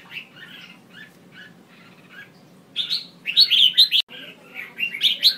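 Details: Red-whiskered bulbul female calls used to stimulate males: quiet, muffled chirps for the first few seconds, then a loud rush of rapid slurred chirps, a brief cut, and more bright chirping.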